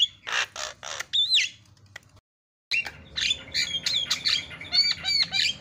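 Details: Javan myna fill-in song from a masteran recording: three harsh buzzy bursts and a bent whistle, a short silence, then a dense run of chattering notes mixed with whistles.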